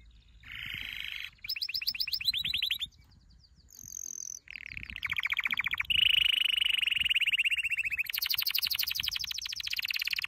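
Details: Canary training song of varied tours: buzzy trills, a short high whistle, then a long sustained rolling trill and a very high fast roll at the end.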